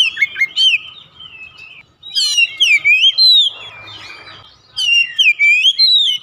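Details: House oriental magpie-robin song, aimed at getting hesitant birds singing: sweet looping whistles and steep upslurred notes in loud bursts, with a soft rustling pause in the middle.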